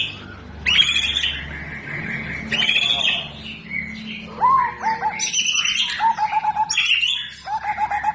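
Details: Kept white-rumped shama delivering powerful tembakan blasts and isian filler phrases: harsh broadband bursts and bright high whistles, then a run of rapid, low, rattling trilled notes repeated in quick pulses toward the end.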